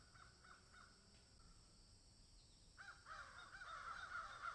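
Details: Crows in a field alongside a swallow and an egret: a few faint caws early, a quiet gap, then a louder run of rapid, ragged cawing in the last second and a half over constant hiss.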